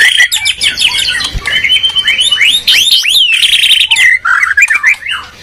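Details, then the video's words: Medan and Borneo white-rumped shamas in a song duel, pouring out loud arching whistles, sharp downward sweeps and buzzy high notes in a continuous, crowded jumble. "Murai batu gacor medan vs borneo duel dahsyat"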